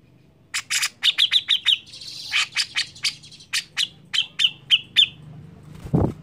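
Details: Grey-cheeked bulbul song used to draw other birds into singing: a lively chain of harsh, rapid clipped notes with a brief buzzy rattle in the middle, ending with a low thump.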